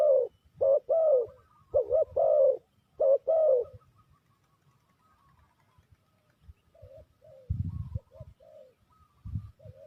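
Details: Spotted dove coos used to lure birds for trapping: loud rolling double coos for about four seconds, then near silence with faint distant coos and a few dull thuds.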